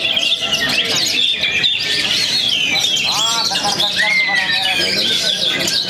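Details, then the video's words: Young Oriental magpie-robin from Perbaungan, singing after its moult: loud, varied whistled phrases with sharp rising and falling notes and slurred downward sweeps, set against a dense chorus of other songbirds and faint human voices. "KACER ANAK PERBAUNGAN PASCA MABUNG TURUN GUNUNG"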